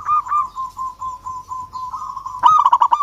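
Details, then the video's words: Local zebra dove, agitated, calling to a rival: a wavering steady tone for two seconds, then a sudden loud burst of quick stuttering notes. "Perkutut Lokal GACOR Suara Ampuh MEMANGGIL Lawan Langsung BUNYI Emosi MANGGUNGG"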